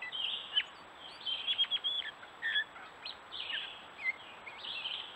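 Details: Gray catbird in woods on a stone wall, Strafford County, New Hampshire, during courtship display: a varied jumbled song of short squeaky and whistled notes in irregular bursts.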